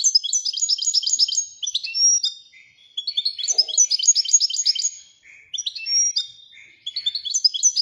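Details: Royal goldfinch song in three bursts of fast, jangling, high twitters separated by brief pauses, notes crowded and rhythmic throughout.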